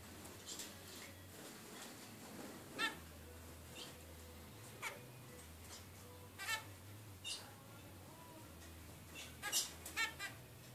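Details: A 22-day-old zebra finch, resting after feeding, gives scattered short, harsh chips, about six over ten seconds, against a steady low electrical hum.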